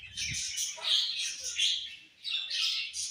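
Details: Several colourful budgerigars chatter in high, raspy warbles, rising and falling, with a short lull before the chirping resumes.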